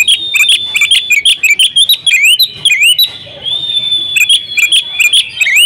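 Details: Oriental magpie-robin female calling the male so he sings; dense series of rising whistles with crisp high clicks, broken by a long steady thin whistle, then the rising notes resume.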